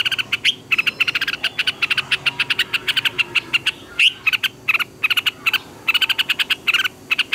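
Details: Red-whiskered bulbul singing in the morning, used as a decoy voice for training other bulbuls. The song has quick bursts of sharp, clipped chirps in dense clusters, with a few rising whistled slurs and brief pauses between runs.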